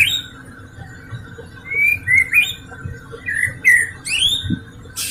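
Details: White-rumped shama song played as a lure to get reluctant shamas singing: rising and falling whistled slurs, some buzzy upward sweeps and sharp notes, in a varied run over a steady low hum and background noise.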